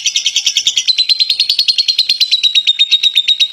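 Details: Champion contest lovebird giving its long 'ngekek' chatter: a rapid, unbroken stream of harsh, buzzy notes, about eight per second, with a steady high whistle threading through, loud and close.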